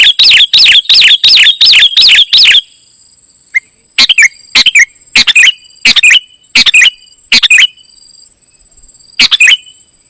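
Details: Kutilang emas (ruby-throated bulbul) singing gacor isian style. A fast opening string of about seven bright warbled phrases, then separate sharp chirpy bursts spaced about half a second to a second apart, with a steady high electronic-like whine behind.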